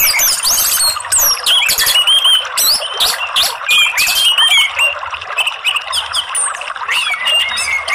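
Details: Orange-headed thrush, a bird that rarely sings fully and mostly gives soft twittering, pouring out a rich, fast jumble of high whistles, trills and chattering notes, nearly without pause, in a dense and busy outpouring.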